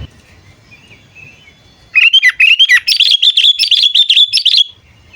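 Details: Sooty-headed bulbul (kutilang) calling as a lure for wild birds: a loud run of liquid, bubbling whistled notes, quickly repeated for nearly three seconds, after a quiet start with a faint distant call.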